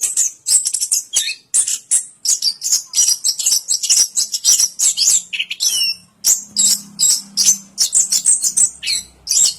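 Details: Orange-headed thrush pouring out a dense, rapid stream of high chirps and buzzy twitters, with a short whistled slur mid-way and a faint low hum beneath.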